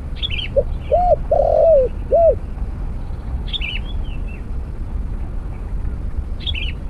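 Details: Spotted dove coos once during a snare-cage trapping session with a decoy: quick introductory note, two arched coos flanking a longer rough middle note. Then a pause filled with other birds' chirps and steady low noise.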